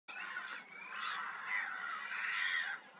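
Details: Great white pelicans at Kerkini Lake, Greece, giving harsh, overlapping honking calls that run almost continuously, with rough, nasal notes swelling and fading.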